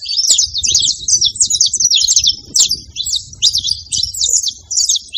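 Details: Saffron finches in a large group making noise together on a farm: overlapping high, clipped chirps and brief trills, with some louder bursts and a faint low hum.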